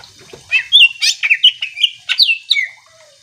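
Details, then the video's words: Greater green leafbird song, intended to provoke other birds into singing: a rapid flowing series of whistled and warbled notes with sharp high accents, continuous for about two seconds. "Cucak ijo gacor AMPUH bikin burung mu langsung emosi ikutan bunyi"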